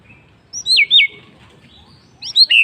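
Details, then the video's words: White-rumped shama in the afternoon giving a few sharp, downward-slurred whistles in a quick pair, a pause, then two more high ringing notes over a soft background hum. "MURAI BATU bird singing in the afternoon"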